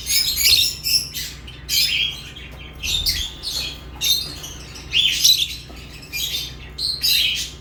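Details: Chattering lovebirds give sharp, scratchy high chirps and short squawks, several in rapid clusters, with brief gaps between groups and a low background hum.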